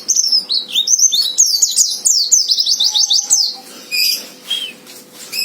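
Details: White-eye singing fighter song to provoke a rival: a quick series of high, sliding whistled notes, each dropping in pitch, followed by scattered thin chirps; a faint steady hum runs underneath.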